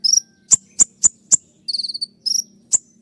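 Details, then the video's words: 'Tembakan' song of the olive-backed sunbird (kolibri ninja): a quick high trill, then four sharp, evenly spaced ticks, another two short buzzy rattles and a final click. "masteran kolibri ninja dengan full suara tembakan"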